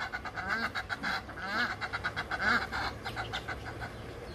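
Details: Several Egyptian geese calling together, overlapping rapid hoarse honks and chattering notes against a noisy background.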